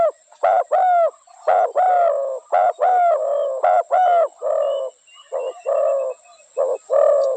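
Spotted dove giving short, mellow, hollow coos in quick irregular runs, about one note per second, with a faint steady high hiss behind.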